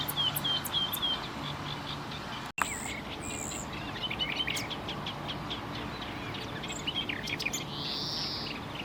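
Common nightingale singing: short phrases of clear whistles, rapid clicks and a rising, drawn-out note, switching between high and mid pitch, with steady background hiss.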